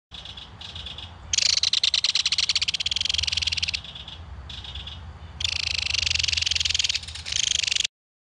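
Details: At a nest burrow in a mud bank, a belted kingfisher adult feeding its baby fish and the young calling back: several bursts of harsh, rapid mechanical rattling, some short, some sustained for over two seconds.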